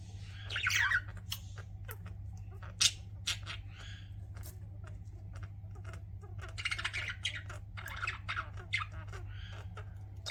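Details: Chirping pet budgies: a buzzy warble at the start, then ongoing soft scratchy chatter and rapid ticking clicks, louder rasping phrases later, over a steady low hum.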